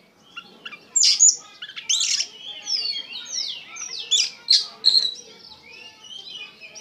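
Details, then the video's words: Oriental magpie-robin in energetic gacor song, full of emotion: scattered bright whistles and sharp slurred notes in bursts, some loud chirps near the first and second seconds, then quieter phrases. "KACER GACOR PENUH EMOSI"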